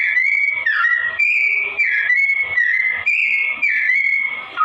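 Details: Sooty-headed bulbul delivering a slow-toned song of smooth, sustained whistles alternating with brief warbled dips, each phrase flowing straight into the next, loud and clear over near silence.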